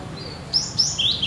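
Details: Cinereous tit (gelatik batu) singing actively, said to sound like it does in the wild: a short run of four high, thin whistled notes, the first steady and faint, the later ones louder and slightly falling, over a faint low hum.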